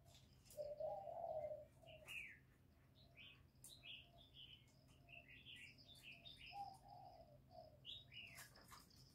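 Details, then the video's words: Spotted dove cooing, a recording for stimulating newly kept birds: a loud low rolling coo at the start, a softer coo later, with many small birds chirping and twittering throughout. "Tiếng cu Gáy Kích chim mới nuôi hiệu quả, cu gáy gù cực chất, cu đất gáy"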